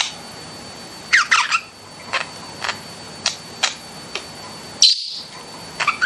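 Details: Pet budgies indoors making a scattered mix of dry clicks, short squeaks and a few sharp chirps.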